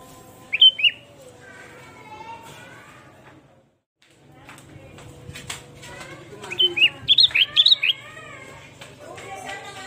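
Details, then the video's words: Sooty-headed bulbul song used for luring birds: a short, slurred, whistled phrase, then after a pause a burst of several quick, bubbly, whistled notes, with faint voices and rustling between them. "Suara burung kutilang gacor pikat!!//pikat burung kutilang"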